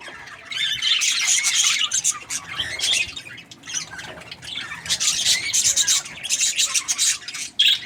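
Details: Happy budgie twittering, rapid scratchy chirps and squawky warbles delivered in clustered bursts several times per second, separated by short quieter gaps, ending with a sharp loud squeak.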